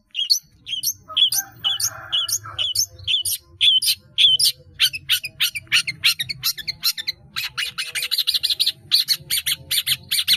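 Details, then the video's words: Caged long-tailed shrike in full song with many mimicked phrases: a string of short clear whistled notes, then dense fast chattering clicks and buzzy trills. A faint low hum runs underneath. "CENDET GACOR ISIAN BANYAK"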